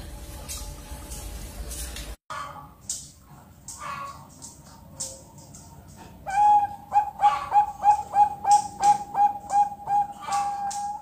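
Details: Captive Bangkok zebra dove chick, two months old, on a bird farm, trying out its song: a stretch of handling noise and clatter, then about eleven short, rapid, clear cooing notes repeated in an even pulse.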